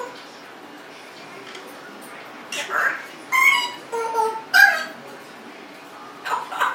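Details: A 1.5-year-old pet Congo African grey parrot that loves to talk and burp produces several short speech-like bursts with clear tonal notes, separated by pauses, indoors.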